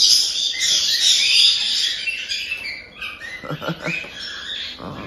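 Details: Begging cries from month-old cockatiel chicks in Tokachi, Hokkaido: a long, grating 'jaa-jaa' rasp that fades midway, followed by scattered softer chirps and faint taps.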